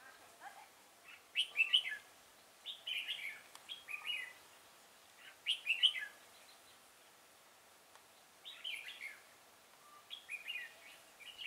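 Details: Red-whiskered bulbul singing during decoy-bird trapping at Chùa Hương on 5 March 2018: lively chattering whistled phrases in clusters roughly every two to three seconds, some notes sharper and higher, with a faint distant background.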